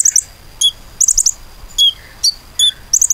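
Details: Common iora lure song: short groups of two or three very high notes alternating with single clear whistled chirps, spaced about half a second apart.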